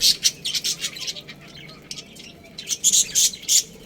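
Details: Pet budgerigars from a colony with a breeding pair: rapid, loud, high chirps at the start and again at the end, with a quieter patch of soft chatter between.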